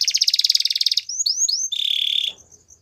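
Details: Belgian canary song: a fast buzzy trill of repeated notes, then a few rising whistled slurs, then a steady high rattling trill that cuts off abruptly.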